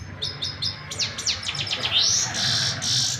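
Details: Canary in unbroken song: rhythmic high chips, a run of steep down-slurred notes, then a loud sustained buzzy roll, over a low background hum.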